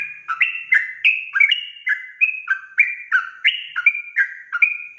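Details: Dense ropel-style singing by a sooty-headed bulbul, aimed at firing up other bulbuls: a nonstop rush of fluty notes bouncing between high and low pitches, about three per second.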